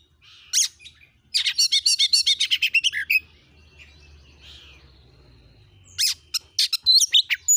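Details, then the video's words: Oriental magpie-robin lure song in vigorous 'gacor nembak' style to provoke other magpie-robins: a single sharp note, then a fast run of about a dozen repeated chattering notes, a pause, and more sharp bursts. "Kacer jenis manapun bakalan langsung emosi gacor dengan pancingan burung Kacer gacor nembak ini"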